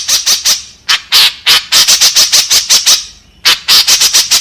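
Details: White-breasted woodswallow lure call, used to attract others of its kind: harsh, buzzy squawks in fast bursts of three to eight, a short pause between bursts.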